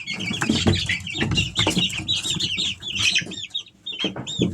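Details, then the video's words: A group of Easter Egger chicks three weeks old giving rapid high cheeping notes, each a quick rising-then-falling chirp, crowded together with scattered tapping and bumping noises underneath. "Sounds of baby chicks"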